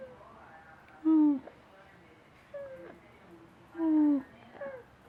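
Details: A male pet parrot gives two loud, whiny, downward-sliding calls about three seconds apart, with softer, higher squeaks between, almost like a whimper; his pupils shrink each time he makes the sound.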